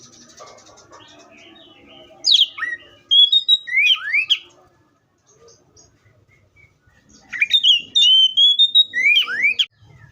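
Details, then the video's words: Oriental magpie-robin giving two whistled song phrases separated by a pause of about three seconds; each phrase mixes rising swoops, sustained clear notes and brisk chirps, with faint chatter early on. "THE BIRD COPSYCHUS SAUCARIS VOICES MUCH LONG LIKE IN NATURE!"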